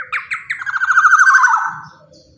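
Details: Black-naped oriole, a large-bodied bird whose call is used as a lure for other orioles: a loud, harsh, nasal rattle of rapid buzzy notes that slides gently downward, preceded by a few sharp stressed notes, in a quiet setting.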